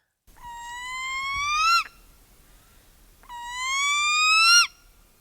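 A Northern Spotted Owl gives two long, clear, slowly rising whistles about three seconds apart, each ending in a sharp upward sweep. Background is quiet.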